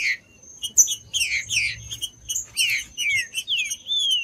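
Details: Green-winged saltator, played to excite other saltators; loud sweeping whistles descend in pitch, then a series of long falling and rising slurred notes, clear and melodic, with a soft high background tone.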